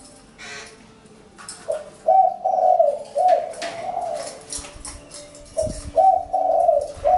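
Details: Spotted dove cooing in two clear phrases of hollow, rounded notes separated by a quieter stretch, with faint clicks and rustling in the background.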